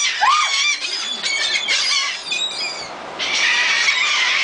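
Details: Seagulls being fed on the beach at Gulf Shores, Alabama, on December 15, 2007: overlapping harsh, squealing gull calls in a noisy flock, with strong wind or surf hiss throughout.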